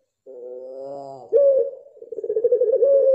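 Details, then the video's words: A mottled pelung dove starts a coo: a nasal harmonic introductory note, a loud sharp accent, then quick pulsing beats swelling toward the sustained part of the call. "Puter Pelung Blorok 100% Joss"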